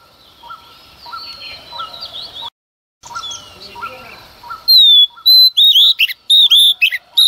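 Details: Female Oriental magpie-robin, early morning, singing to rouse males. Soft rhythmic chirps and faint warbling are heard first, then a short gap, then loud, clear whistles and sharp slurred notes in quick succession.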